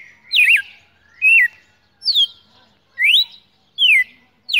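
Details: Red-cowled cardinal, a champion cage bird sung while held in hand on a December 2018 morning, gives six loud whistled phrases, alternating upslurred and downslurred notes with wavy bends, spaced under a second apart, no other sounds.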